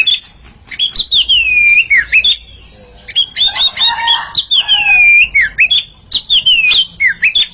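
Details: A pair of Oriental magpie-robins sing against each other: loud, sweet whistles with descending slurs, a short pause near three seconds, then more rapid varied whistled phrases.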